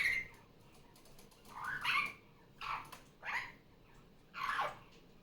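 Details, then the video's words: Indoor pet superb parrot, a female just off her nest, calling during Sunday morning play. Four to five coarse, rasping squawks at uneven intervals, each short and noisy, over steady background hum. "Barraband parakeet sounds. Sunday morning playtime."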